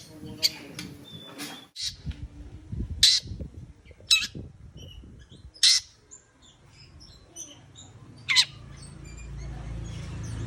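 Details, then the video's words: Long-tailed shrike giving scattered harsh, rasping notes about once a second at first, then more sparsely, with a few thin whistles between them over a low background hum. "CENDET YANG MALAS BUNYI PASTI AKAN GACOR KEMBALI"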